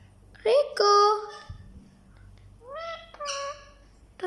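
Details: Pet parrots talking: two loud, nasal, harmonic voice-like phrases in the first second and a half, a quiet pause, then a rising phrase followed by a steadier, flat phrase, with a brief sharp click at the end.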